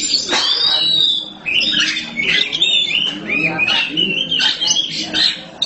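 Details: Oriental magpie-robin, black type, in vigorous song: choppy high whistled phrases and scratchy notes broken by short gaps, while a man talks in the background.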